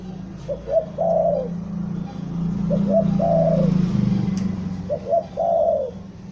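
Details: A spotted dove lure bird in Bandung, Indonesia, repeats stuttering coo phrases, short notes followed by a long falling coo, three times. A steady low engine drone runs underneath throughout.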